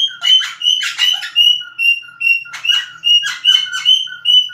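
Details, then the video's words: Cockatiel calling in quick bursts of whistled chirps with strong harmonics. Clean tonal notes are mixed with rougher, scratchy ones, grouped in uneven clusters over a few seconds. "Σφύριγμα κοκκατίλ"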